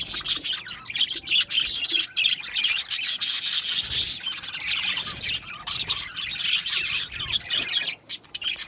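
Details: Aviary colony of Australian budgies giving continuous overlapping chirps and raspy warbles, a busy high-pitched chatter that swells mid-clip and drops away briefly near the end.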